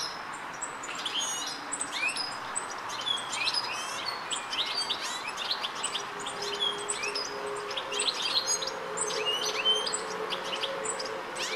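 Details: European goldfinch calling in Rombergpark, Dortmund, on 1 August 2013, captured with a Panasonic Lumix GH3; dense, continuous high twittering of quick chirps and tinkling upslurred notes throughout, with a faint low hum underneath.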